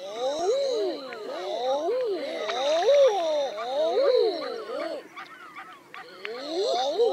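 Several Common Eiders give soft, crooning 'ah-ooo' calls that rise then fall, overlapping almost continuously, over a steady high hiss.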